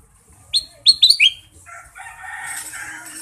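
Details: Ruby-throated bulbul (kutilang emas) in lively full song: four bright, quick whistles, each sliding downward, delivered in rapid succession, followed by softer scratchy chatter and a faint hiss.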